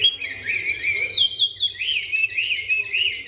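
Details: Chinese hwamei, a newly arrived bird with a smooth, supple voice, singing while turning its rump: clear whistled warbles, rising and falling in rounded swoops, run together in a flowing phrase.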